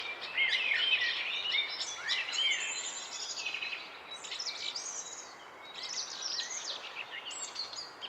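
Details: Morning chorus of several birds in a forest park around sunrise, with quick, high, twittering chirps and short whistled phrases overlapping almost continuously over a soft background hiss.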